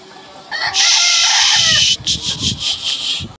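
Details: An Asil (Atkinson line) hen gives one loud, strained call lasting over a second, followed by a run of rough, raspy clucking notes.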